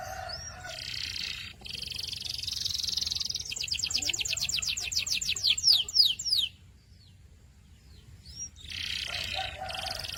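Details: Canary singing a buzzy trill that breaks into fast repeated chirps and descending whistles, pauses briefly, then resumes with another buzzy high phrase over low hum.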